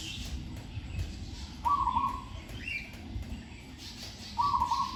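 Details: Single Zebra dove under training in a cage hung in trees, sweet-voiced with good phrasing: two rapid stuttering coo phrases about two and a half seconds apart amid faint chirps of other birds.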